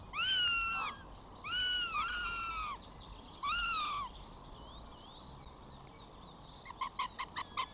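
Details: Flamingo family on 14 June: five chicks feeding while the father flies in. Three loud arched, overslurred calls with rich harmonics come in quick pairs, followed by a faint rapid series of short clicky notes at the end.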